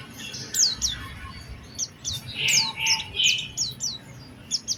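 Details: Oriental white-eye lure song in a special phrasing style: thin, high, falling whistles in pairs, mixed with a few lower, rounder chirps, over faint background noise.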